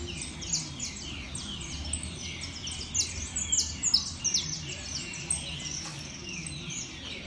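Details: Saffron finch singing at a competition show: dense runs of sharp, high, downward-slurred chirps, about two or three a second, building to a louder burst in the middle, over a steady low rumble and faint voices.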